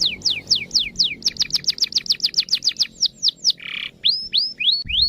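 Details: Song of a canary used to prompt other canaries to sing: falling whistled sweeps speed up into a dense trill, a short raspy buzz breaks in, then rising slurred notes close the phrase.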